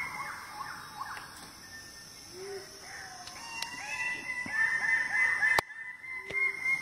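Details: Greater birds-of-paradise on Aru Island, Maluku, in March give loud, harsh, repeated calls in quick series, several voices overlapping, over a steady high insect drone and a thin whistled tone.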